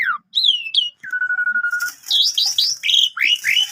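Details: Full, varied song of a Javan pied starling used as a canary master: falling and rising whistles, a steady flat whistled note, then a string of bright looping chirps.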